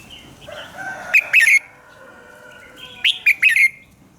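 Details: Morning song of a red-whiskered bulbul, used as a decoy call for training: two bright phrases of several short, slurred whistles, with quieter warbling and chirps between them.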